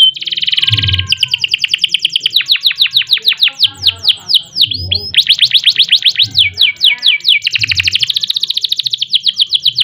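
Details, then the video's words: Continuous rolling canary song with fast trills and swept notes delivered in tight runs, over soft low rumbling thuds, sung as a lure for other birds. "Kenari Gacor Panjang Ngerek Ngerol Nembak Mantap Buat Masteran dan Pancingan | Bird Singing"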